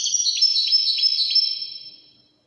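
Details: A goldfinch in the widani song style gives a quick stream of high, tinkling twitters with slight dips that trails away into silence after about two seconds.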